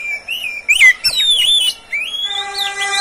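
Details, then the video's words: Oriental magpie-robin, a caged pet bird, singing as tutor material for other birds; sweet slurred whistles, a sharp downward note and a long high warbled phrase, closing with a steady rising whistle. "SUARA BURUNG KACER, cocok buat pancingan Kacer pagi, siang, sore"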